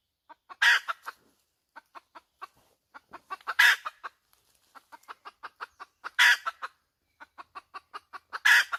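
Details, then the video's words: A hen repeats accelerating runs of sharp clucks, each ending in a loud, coarse squawk, four squawks in total about two and a half seconds apart; background is quiet. "Suab poj qaib tsauj dib tuaj zoo heev"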